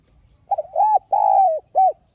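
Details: Decoy spotted dove call: a fluttering start runs into two long, smooth, slightly falling coos and one short final note, all low and mellow, over a near-silent background.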